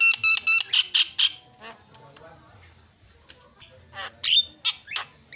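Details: Javan myna singing, offered as a lure for a myna that has stopped calling: a quick burst of ringing harmonic notes and loud harsh squawks, a pause of soft chatter, then more scattered rasping bursts.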